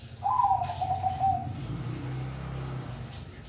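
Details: A single rippling, trilled coo from a Bangkok zebra dove, starting a little higher and easing down over about a second, followed by a low droning hum.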